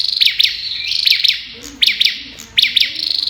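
Olive-backed tailorbird fires off loud, sharp, high notes in quick pairs and bursts, like rapid gunfire, over a steady high background hiss.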